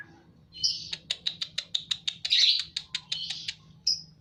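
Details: Song of a white-rumped shama in breeding condition, a quick train of crisp high ticking notes repeated several times a second, with a louder burst midway and a short whistle at the end.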